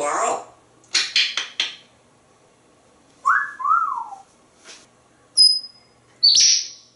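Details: Pet parrot interacting with its owner mixes clipped chatter, a pair of falling whistles, a sharp high pip and a squawk, in a quiet room.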